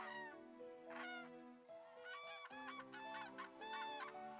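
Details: Common cranes, a possible pair about 500 metres away at Eldernell Wash in February 2015, give loud, rolling, trumpeting calls in short bursts of several notes over a steady low droning hum.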